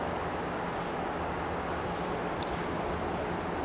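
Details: Steady, dense roar of broadband noise like traffic or wind, with one brief sharp click.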